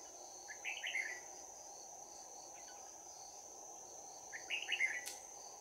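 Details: Fighting song of a trapping-decoy Red-whiskered bulbul with a bell-like voice, recorded 11 January 2019. Two short bursts of quick whistled phrases separated by a pause, over a constant shrill insect drone and low hum.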